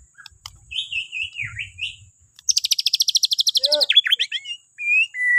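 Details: Bornean white-rumped shama, morning song to get other birds singing: a few thin whistled notes, then a rapid even trill of about two dozen high ticks, followed by short upslurred whistles and two sustained tones.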